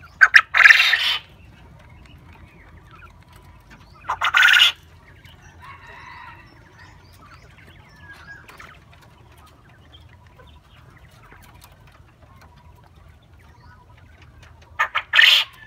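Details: Black coturnix quail crowing alongside companions, short harsh notes leading into a rasping burst, heard three times with long quiet gaps and a faint low rumble between.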